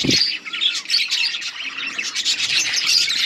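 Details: Colony of budgerigars chirping while eating: a dense, continuous chorus of overlapping high scratchy chirps and warbles from many birds, steady throughout, with a brief low thump at the start.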